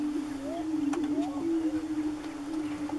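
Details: Several greater prairie-chickens on a lek near Wray, Colorado, April 2015; a continuous low hollow booming hum runs under repeated rising whooping notes and a few sharp clicks.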